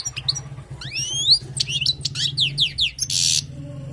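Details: Wild goldfinch tutoring song over a steady low hum: sweeping slurred whistles, a run of descending chips, then a short harsh buzzy burst.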